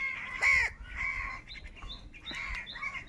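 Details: One loud, harsh caw from crows fighting for food, followed by softer caws and thin high chirps from other birds.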